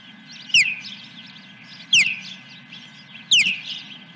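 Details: Osprey at a nest at Dunrovin Ranch, morning of 10 July 2021, around a fish delivery: three loud, clear, downward-slurred whistles spaced about one and a half seconds apart, with soft chirps and low hum between.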